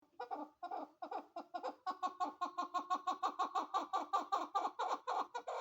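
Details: A female chukar partridge gives a fast, steady run of harsh clucking chuk notes, about four to five a second, building in loudness.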